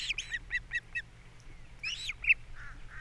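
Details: Osprey pair at a nest on Captiva in early April, the male bringing in a fish for breakfast while the female feeds chicks; a quick run of short, high chirps, then a pause and a few sharper squeaky notes.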